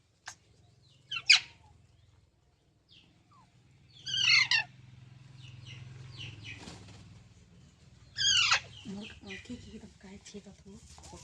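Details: Pet green parrot, called mitthu in India, giving three loud harsh screeches spaced about four seconds apart, with low hum and soft room noise in between.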